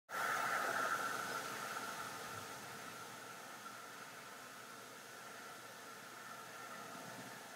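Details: Steady hiss and fan-like hum that fades slightly after a sudden start, with no animal voices.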